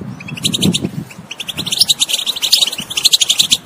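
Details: European goldfinch twittering, played to coax a non-singing bird: bright rapid trills and chirps building in speed, over low cooing sounds at the start.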